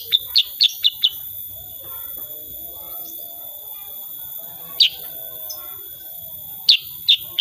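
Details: Actively singing sooty-headed bulbul, 'tembakan' style, recorded without editing: a quick run of four piercing high chips, a long pause with soft low chatter, then further sharp chips, over a steady thin whine.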